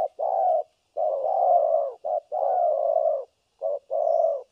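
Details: Decoy spotted dove on trial for trapping, in the thổ cấn sấm nước style: long sustained low coos, each led by a short clipped note, three phrases in quick succession.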